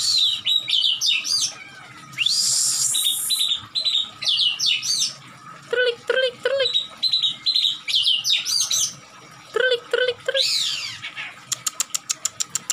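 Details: Emotional oriental magpie-robin, tail spread and attacking, pours out a varied loud song of high slurred whistles, scratchy bursts, low-pitched repeated notes and arching sweeps, ending in a fast series of sharp clicks.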